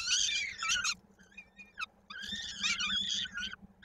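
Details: At a peregrine falcon nest in Koszalin, 16 May 2022, a chick's foot stuck in a beak during feeding; rough, wheezy, harmonic squeals in two main bursts separated by faint brief notes, low steady hum beneath.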